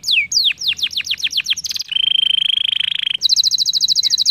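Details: Canary performing a lure song to make other canaries sing: descending whistled sweeps, then a long steady buzzing trill, ending in a fast high rattling trill.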